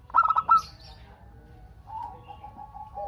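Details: Local zebra dove in energetic song, used to set other doves calling in reply. One fast burst of bubbling coo notes, then a long, faint, level tone that swells near the end.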